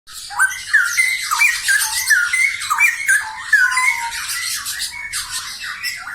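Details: A pair of straw-headed bulbuls, cucak rowo, singing actively: rich, liquid whistled phrases that slide up and down, nearly continuous, over a dense wash of high chattering and hiss.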